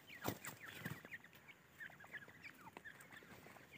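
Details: Iranian (dakhni) francolin chicks give a scatter of thin, high peeps, several at once and overlapping, with two dull knocks near the start.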